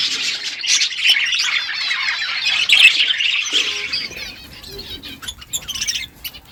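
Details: Morning chorus of budgerigars, a continuous mass of rapid, scratchy warbling chirps for four seconds, then sparser sharp squeaks and short clicks as the chatter thins out.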